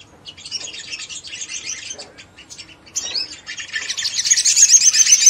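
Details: Sogon singing to provoke other sogon birds into fast, lively ngleper song: a dense, rapid, very high scratchy chatter in continuous bursts, growing louder and fuller toward the end.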